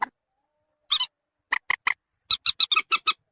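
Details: Common moorhen lure call, played to draw birds closer: one short clipped note, then a pair of sharp harmonic notes, then three evenly spaced clucks and a fast burst of six clipped notes near the end, clean and without background.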